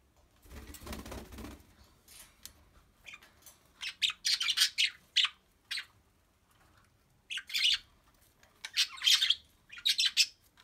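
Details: A cockatiel playing on a swing toy gives bursts of harsh, high chirps after a brief rustle of flapping wings.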